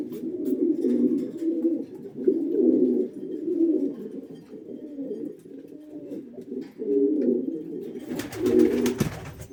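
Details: Red-breasted pigeon cooing in a small room: deep, rolling, bubbling coos in a near-continuous stream, swelling and fading, with a burst of rustling or clattering near the end.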